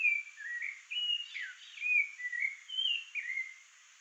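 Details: Song of a rufous-bellied thrush keeping watch around its nest: a lively series of short whistled phrases, some rising and some falling, delivered about once per second, with a soft background hiss throughout.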